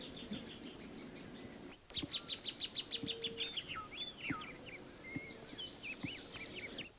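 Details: Plain thornbird giving a quick burst of rapid, high repeated chips. Other birds answer with scattered whistled and slurred notes against a faint background hum.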